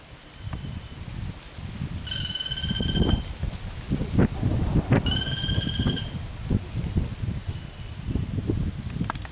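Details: A black-rumped flameback (lesser golden-backed woodpecker), seen in pairs around jackfruits, gives two loud, harsh, rapid chattering bursts, each about a second long and three seconds apart, over heavy rustling and low rumbling.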